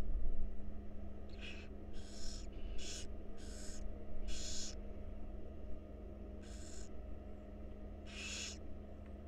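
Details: Wild barn owl owlets in a monitored nest box at feeding time give harsh, breathy hissing screeches, about seven broad bursts in nine seconds, over a steady low hum.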